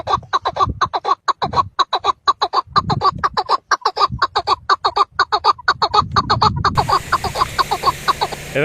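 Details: Caged chukar partridge singing in spring amid green hillside vegetation gives a fast, steady series of harsh clucking chuck notes, about five a second, said to draw wild partridges; light wind noise rises toward the end.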